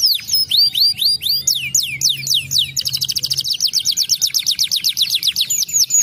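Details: Canary song meant to stimulate lazy canaries to sing: high sweeping whistled notes, then a fast rapid trill of repeated rising notes about four per second, with a faint low hum behind.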